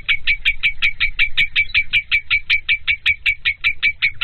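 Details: Lovebird giving a rapid series of sharp chirps, about two and a half per second, each a brief bright note with a harsh edge, repeated steadily throughout with a faint low rumble beneath.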